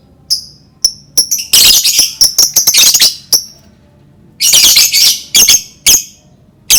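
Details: Lovebird chattering, played to prompt other lovebirds to start calling: harsh, very high squeaky bursts and sharp chirps in irregular clusters, with quiet gaps between loud runs.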